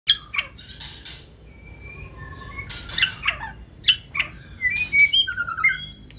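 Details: Caged white-rumped shama from the 2024 season singing in 'forest voice' style, tail raised while hopping between perches; rapid bursts of sharp chips alternate with clear whistled notes, some sliding and buzzy, in a quiet indoor room.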